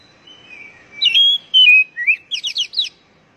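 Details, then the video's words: Oriental magpie-robin (kacer) song used to encourage captive birds to sing: a soft thin whistle, then loud steady whistled notes and a rising slur, closing with four or five quick sharp downward chirps. "Pancingan Burung Kacer Agar Cepat Gacor"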